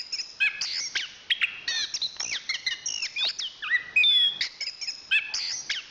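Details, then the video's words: Energetic song of a national champion anis kembang, Zoothera interpres: rapid mixes of high chirps, slurred whistles and mimic-like twitters, with a thin rising whistle near the end. "Suara Kicauan Burung Anis Kembang Juara Nasional"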